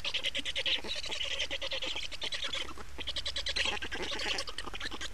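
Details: Feeding and changeover at an Estonian black stork nest on 28 May 2019: steady, fast, hoarse rasping pulses with a short dip partway through before resuming.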